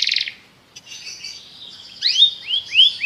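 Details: Belgian canary with a brief quick trill, a faint wavering hum, then a few loud rising whistled swoops spaced about half a second apart.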